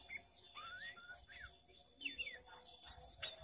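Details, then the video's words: Sooty-headed bulbul lure sound for trapping, full varied song: clear whistled notes sliding upward and short downward-swept phrases, repeated in bursts, with high twittering behind. "suara pikat burung kutilang gacor full isian variasi"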